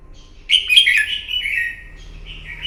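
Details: Wild-caught red-whiskered bulbul singing its morning fighting song for bird training: one loud, liquid warbled phrase followed by a sustained softer whistle and a short rising note at the end.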